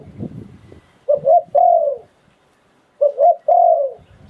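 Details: Low, mellow cooing from a Thai decoy Spotted dove, 'sai phon liu tan' style: two phrases about two seconds apart, each two brief coos leading into a long sliding coo, with a soft rustle before and after.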